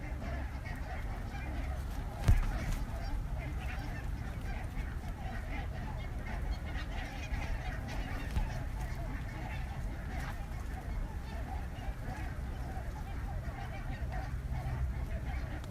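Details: Hundreds of wintering barnacle geese surround a photography hide in a waterlogged farm field in southern Scotland before sunrise. Their dense, continuous chorus of overlapping yapping honks runs throughout over a steady low rumble, with a brief knock near the start.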